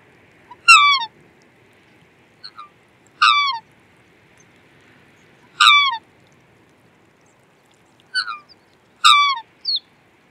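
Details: Black swan repeating falling, trumpet-like bugling notes every two to three seconds, with a few softer short notes between, in a quiet setting.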